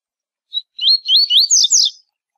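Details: One tui tui zel zel phrase from a double-collared seedeater, a tournament song style for teaching young birds: a single short note, then a chain of rapid upward-slurred whistles ending in higher, buzzier notes.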